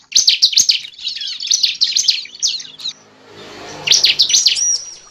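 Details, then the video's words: Bar-winged prinia (ciblek) calls as a bird-trapping lure: rapid high chip notes and a scratchy twittering run, a hissy pause, then more quick notes and a thin whistle. "pancingan pikat burung cible"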